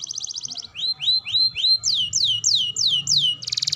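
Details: Canary song in a training recording for young, juvenile and adult canaries: a fast buzzy trill, then rising slurred whistles and repeated falling sweeps, about three per second, ending in another rapid trill.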